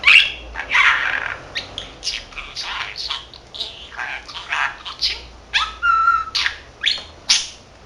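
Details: Continuous warbling chatter from a 13-month-old male budgerigar kept at home and trained to say Korean and Japanese phrases, mixing raspy speech-like syllables with a clear whistled note, pulsing almost every half second.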